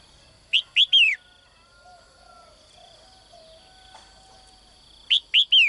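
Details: Caged female bird's morning courtship call aimed at attracting a strong male: two identical phrases several seconds apart, each two quick chirps then a downward-sliding whistle, with soft low tones between.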